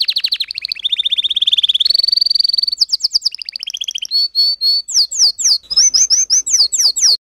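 A canary sings a long, varied song of rapid rolling trills and buzzy rattles, then sharp downslurred whistled notes repeated several times a second.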